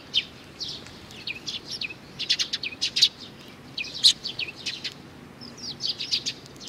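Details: Young sparrow calling with a steady run of short, bright chirps, each a quick downward-bending note, coming in small clusters through the whole stretch over quiet background.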